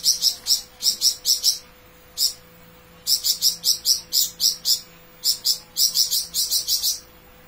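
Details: Lively flamboyan bird in long rapid bursts: clusters of sharp, very high, metallic chips delivered in quick runs of four to eight notes, separated by short pauses.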